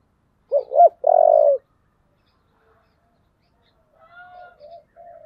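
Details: Spotted dove cooing with a thổ-style voice, roused to fight: two quick rising-falling notes, then a longer steady coo, followed by fainter, softer cooing phrases after a pause.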